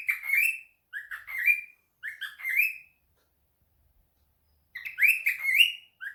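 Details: Domestic cockatiel calling as if answering a phone: three short groups of upward-sliding whistled chirps about a second apart, then nearly two seconds of silence before a longer burst of rising whistles.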